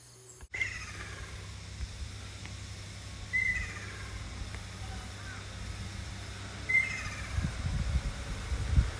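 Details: A ruddy kingfisher on Amami gives two descending, rolling trills about three seconds apart, over steady low rumbling background noise.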